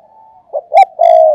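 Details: Spotted dove decoy cooing in thúc gù manner: a faint drawn note, then two quick low coos and a loud sustained rolling coo.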